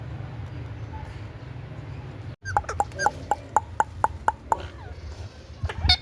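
A rose-ringed parakeet gives a quick run of about eight sharp, even notes, roughly four per second, over a low background hum.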